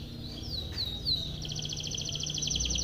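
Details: Timbrado canary singing a training song for other canaries: a few high sliding whistles, then a fast even trill of clicking notes held steady to the end, over a low background hum.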